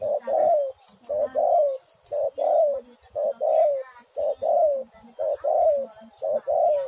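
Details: Spotted dove, known locally as tekukur or derkuku, used as a lure to prompt other doves to sing; low cooing phrases of two or three notes repeated about once a second, steady and loud, with faint background noise.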